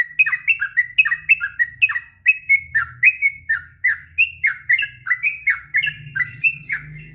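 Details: Sooty-headed bulbul in long, tireless ngropel song for tutoring young birds: rapid bubbling whistled phrases, dense at first and then evenly spaced, over a steady low hum.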